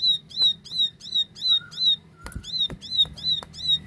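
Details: Plain prinia in 'tembakan' song: a steady series of about ten ringing, buzzy notes, each sharply hooked upward, spaced roughly three per second, with a soft lower whistle and a couple of sharp knocks in the background.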